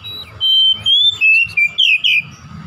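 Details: Domestic oriental magpie-robin singing as a lure to unlock another bird's repertoire: a continuous string of pure whistled notes, some level, some sliding, ending in brighter, slightly rougher upward notes, with a low murmur underneath.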